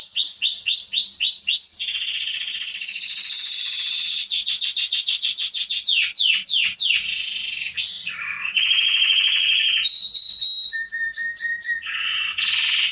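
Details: Canary singing for training young birds, moving through fast repeated slurs, a sustained buzzy trill, clicking rolls, lower gurgling notes and pure high whistles in a varied continuous performance.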